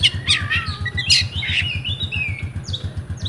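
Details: Oriental magpie-robin, a kept bird in Comal, Pemalang, Central Java, Indonesia: a quick run of clear whistled notes and sliding phrases, then short high chips, over a constant low pulsing hum.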